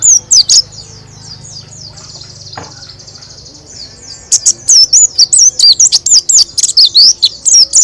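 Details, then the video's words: Loud white-eye song, gacor roll tembak style with beak held open; a high thin trill opens, then a long run of quick sharp chirps and twisting whistles repeated about twice per second to the end. "Pleci Roll Tembak Gacor Buka Paruh Suara Keras"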